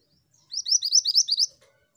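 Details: Singing female pied bushchat: about eight quick, high, sharp chirped notes in a tight burst lasting about one second, followed by a faint lower note.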